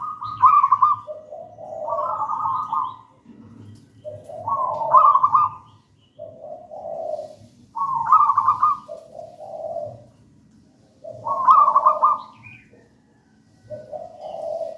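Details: Zebra dove of a local wild strain, singing the gedang rojo style often used as a master song to lure and train other doves. Bubbly trilled coo phrases repeat roughly every three seconds, each a bright burst dropping into a softer rolling note.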